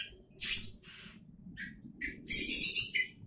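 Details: Oriental magpie-robin, a contest-candidate bird, singing bursts of harsh, buzzy broadband notes mixed with short whistled phrases around mid-high pitch, with quiet gaps between phrases and a faint low hum in the background.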